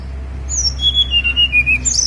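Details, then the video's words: Snowy-browed flycatcher song from Mount Songgo Langit: a high, thin whistle followed by a quick string of short, clear notes stepping gently downward, then a sharp high note at the end, with low hum beneath. "KICAU TLEDEKAN GUNUNG SONGGO LANGIT"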